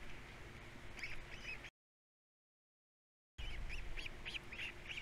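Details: Three osprey nestlings on Captiva calling at feeding time, repeated short arched whistles and chirps in quick succession, interrupted by a brief gap, with a low hum throughout.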